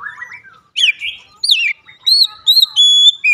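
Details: Oriental magpie-robin song played to trigger singing: separate clear whistled phrases, some rising and falling, some long level high tones, each given with brief gaps between.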